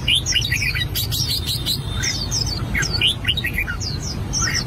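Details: Song practice by an albino red-whiskered bulbul: rapid chains of sharp, whistled, swooping notes in short phrases, with a few brief clicks and a continuous deep hum underneath.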